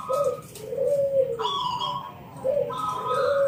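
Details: Local wild Zebra Dove singing in the ngalun 'kung bulat' style, used as a lure to draw other doves into song: soft, rounded coos that swell and fall, in two drawn-out phrases with a faint ringing overtone.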